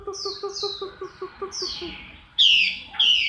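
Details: Chinese hwamei during moult, October 2015: soft, evenly spaced low pulses under thin descending whistles, ending with two loud bright slurred whistles.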